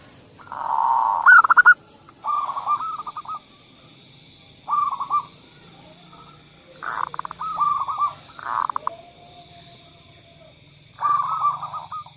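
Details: Zebra dove song meant to coax silent doves into singing: several separate phrases of soft rolling coos, each starting with a rough burst, spaced a few seconds apart over a steady high background hum.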